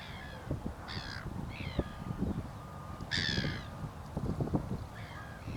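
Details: Southern giant petrel at the Río Gallegos estuary, Santa Cruz, Patagonia, Argentina, on 6 September 2021, giving hoarse, crow-like cawing calls in four bursts, one longer and falling, over a steady low rumble of wind or surf.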